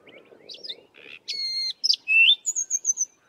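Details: Short excerpt of a Sabota Lark's melodious song in the southern Karoo: a sustained buzzy note, sharp slurred chirps and a falling whistled series, with a soft low murmur at the start.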